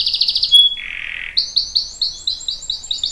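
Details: Short burst of canary song meant to make other canaries answer: a quick trill, a buzzy burr, then a string of rapid rising-and-falling chirps.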